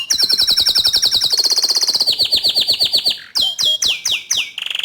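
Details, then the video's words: Bottle-green canary singing energetically as a master tutor song for young canaries: long fast high trill of repeated notes slowly descending in pitch, followed by separate sharp downward-sweeping whistles and a short buzzy ending. "Kicau Kenari Hijau Botol Gacor Dor Cocok Untuk Masteran Kenari Paud dan Bahan"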